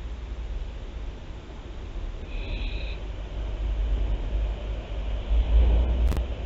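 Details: A single harsh screech from barn owls at Théding, France, on 24 September 2021, followed by a rising low rumble and a sharp knock near the end.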